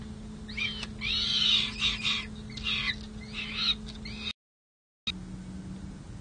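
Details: Peregrine falcon nestlings at a city hall nest box in San Jose, May: several rough, screechy high calls in clustered bursts, then quiet with a steady mechanical hum.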